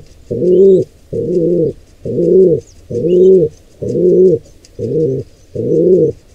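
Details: Nest of a pigeon squab invaded by an intruder pair of wild pigeons: seven low, broad cooing notes in a regular pulse near once a second, a few faint high chirps.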